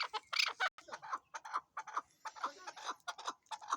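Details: Chukar partridge giving throaty, clucking chuck notes at a steady, fairly rapid pace, a few louder and harsher, with no other sounds standing out.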